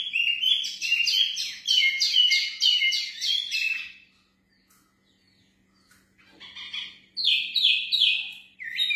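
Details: Breeding pair of mini wambi, described as actively singing and ready for breeding: rapid, high chirping phrases of short repeated notes for about four seconds, a pause, then another bright burst of chirps.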